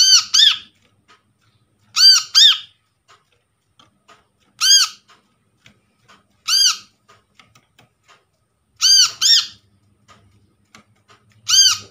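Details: Brown-throated sunbird from a trapped bird, played to coax a silent sunbird into calling: harsh arched squeaks, singly or in quick pairs, repeated every two seconds or so over faint clicks.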